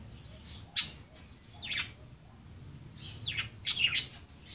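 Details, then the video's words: Pet budgerigars playing, giving scattered sharp chirps and short squawky notes, mostly high-pitched bursts with a loud click-like chirp near the start and a cluster of chirping toward the end. "Pericos australianos jugando"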